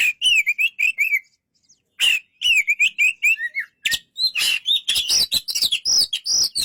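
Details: Oriental magpie-robin singing a varied, loud song: clear whistled notes that waver and slur, alternating with harsh, buzzy bursts, delivered in rapid phrases with a brief pause near the middle.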